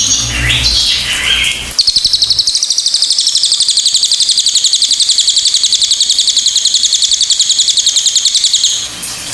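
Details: Pied fantail: after a few jumbled high notes, a long unbroken trill of rapid, squeaky high pulses runs for about seven seconds, evenly spaced near four per second.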